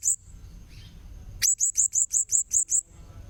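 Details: Blue-crowned hanging parrot lure call: a single high squeak, then a steady run of eight sharp, very high chirps spaced evenly, about three per second, over faint low background noise.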